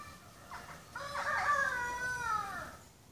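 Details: Indian peafowl: a peacock displaying his tail feathers to attract a peahen gives a brief nasal note, then a very loud, drawn-out honk at her that holds for nearly two seconds and sags at the end.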